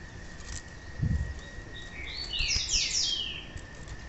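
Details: Female rusty-collared seedeater calling, a call used to warm up and stimulate males into song: a dense cluster of bright, high twittering slurs mid-clip over a constant thin hum and background hiss.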